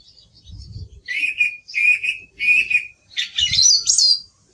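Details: Song thrush song with its typical phrase repetition: a clear mid-pitched whistled note given three times in a row, then a higher, twisting, squeaky flourish; faint low thumps underneath.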